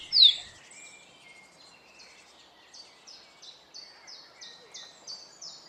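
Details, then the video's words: Song of a Rufous-collared Sparrow, called tico-tico in Brazil, recorded in the wild: one loud, sharp slurred whistle, then a soft, even trill of about ten high descending notes repeated roughly every third of a second. "Tico Tico"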